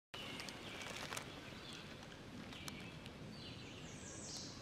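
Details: Wild birds singing in a mature forest at the Camillus Unique Area, New York: faint, thin high whistled phrases and a few brief sweeping notes over a steady background hiss.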